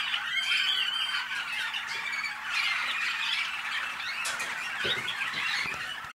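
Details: Malinois canaries, hatched in North Canton, Ohio, USA, pour out rolling, watery warbles and trills without pause, fading abruptly at the very end; a faint low hum runs beneath the first part.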